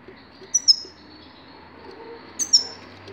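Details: Grey-crowned goldfinch recorded in 2019, giving two brief bright twittering notes about two seconds apart, high and slightly descending, over a quiet low background hum.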